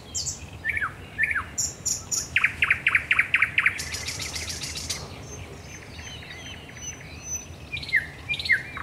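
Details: Night song of a thrush nightingale at the Raszyn Ponds in Poland, 10 May 2021: falling whistles, a fast series of loud rhythmic chock notes, then a dry rattling trill and softer varied phrases against constant background noise.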